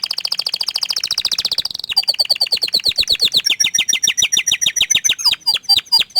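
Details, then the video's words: Song of an orange frost canary: a shimmering, very fast trill, then a long series of separate swooping notes that step downward, growing louder and more spaced toward the end. "Kenari Oren Frost ini Ingin Menunjukan Kicauan nya yang Mantul"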